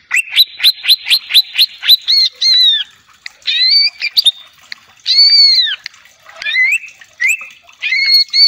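Greater green leafbird song: a quick run of about ten sharp chips, then varied ringing whistles that arch up and down in separate phrases.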